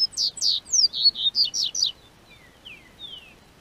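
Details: Loud burst of high, sharp whistled notes from a Double-collared seedeater in southern Brazil during spring warming, delivered in quick succession, then trailing into a few thin, faint descending slurs.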